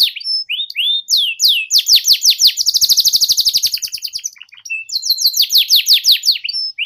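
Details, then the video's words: Canary song used as a tutor recording for young canaries learning to sing: rapid rolling trills of downward-sweeping high notes, repeated about three per second, with a fast buzzy roll in the middle and brief pauses between phrases. "Suara PANCINGAN KENARI PAUD BeLajar Bunyi NgeriwiK"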